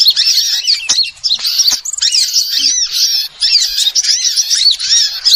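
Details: Small birds chattering in a trapping lure track, a crowded stream of high, sharp chirps and rising-falling squeaks with brief pauses.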